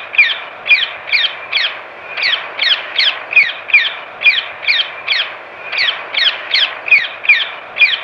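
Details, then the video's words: A rose-ringed parakeet gives loud, harsh, shrill screeches, about twenty sharp notes in eight seconds, delivered in quick bursts with brief pauses between. "Parakeet calls and sounds"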